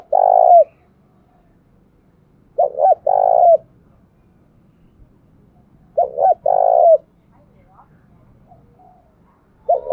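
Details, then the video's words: Trained decoy spotted dove giving its calling coo, repeated roughly every three seconds. Each phrase is a pair of brief hoots, then a drawn-out, slightly buzzy note ending in a downward slur. Faint low rumble beneath. "Tiếng Chim Cu Mồi Thuần Thúc Và Gáy Gọi Hơi Bị Căng Nhá"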